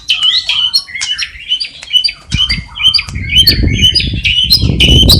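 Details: Energetic white-rumped shama song from Cililin, filled with copied sparrow, fighting lovebird and kapas tembak calls: dense, choppy chirps and squeaky notes in quick succession, with low rustling noise in the background.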